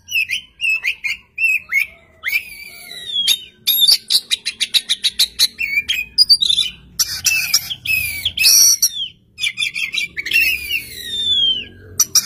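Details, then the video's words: Oriental magpie-robin in vigorous song from a single spot, with another magpie-robin answering; varied whistles, rapid click series and rasping buzzy notes in an unbroken, lively stream. "kacer gacor satu titik nembak bikin kacer lain langsung nyaut"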